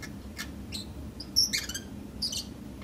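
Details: A pet Pacific parrotlet calling just after waking up: short, high chirps and squeaky notes scattered across three seconds, with a brief harsher burst in the middle, over a quiet indoor background.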